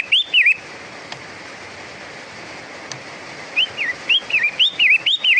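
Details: Long-tailed shrike, locally called pentet matahari, singing repeated whistled phrases that rise and fall between high notes, in bursts at the start and again over the last two seconds, with a steady background hiss.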